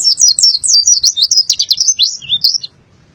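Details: High, sweet white-eye song from Boyolali, a fast string of thin slurred chirps and twitters rising and falling, ending abruptly, with light clicks in the background.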